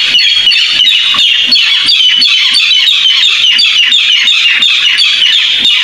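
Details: Barred rail calling, played as a lure for trapping: steady, rasping, high-pitched ticking pulses repeated roughly three times a second without a break, loud and unvarying.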